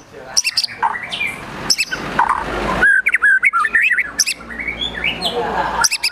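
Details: Agitated gacor emosi song of a white-rumped shama packed with mimicked besetan, tembakan, sogon and kunti phrases: rapid varied chirps, sharp clicks, rising whistles and rasping chatter in a dense, restless stream.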